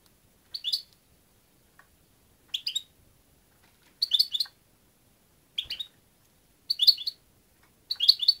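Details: Rhythmic European goldfinch twitters: six tight bursts of three to four tinkling, liquid notes, roughly one burst every one and a half seconds, in a quiet setting.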